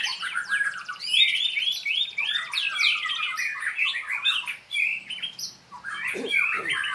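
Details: During a training session a white-rumped shama pours out a loud, continuous medley of whistles, twittering trills and harsh notes, briefly dropping lower and buzzier near the end before resuming high phrases.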